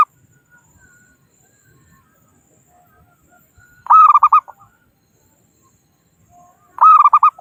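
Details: Local wild zebra dove calling to rivals for luring and trapping, two rapid rolling coo phrases about three seconds apart, with faint soft notes in the background.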